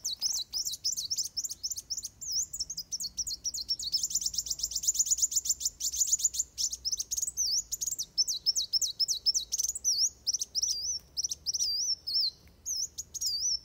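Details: Continuous rapid fighting song of a Van Hasselt's sunbird, used to train birds, made of very high sharp chirps and wavy whistles pouring out with hardly a break for over thirteen seconds.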